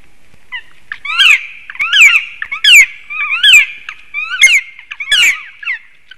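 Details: Loud black woodpecker calling at a black stork nest in Sigulda municipality, Latvia, on a March morning, possibly in territorial defence. Bursts of sharp, slurred cries come in clusters, each roughly a second apart.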